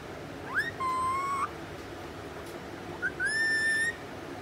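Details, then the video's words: Angry four-month-old rose-ringed parakeet, with two sustained whistled calls. Each starts with a quick upward sweep and then holds a steady tone for about half a second. A quiet room hum sits underneath. "Angry Putu"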